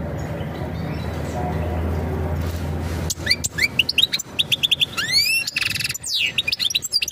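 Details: After three seconds of low background hum, a European goldfinch breaks into its mating song for preparing a female to breed: rapid chirps, rising whistled slurs and quick tinkling twitters.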